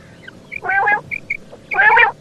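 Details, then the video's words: Female quail calling: two harsh, nasal, buzzy bursts about a second apart, each with several stacked tones, plus short high pips in between. "female bater sound"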